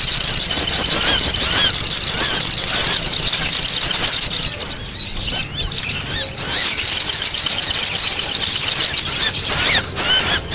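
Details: Sogon, a bird common in yards and usually found in pairs, calling as a lure for trapping birds; dense, continuous high chattering squeals with rapid repeated notes, loud throughout with brief dips.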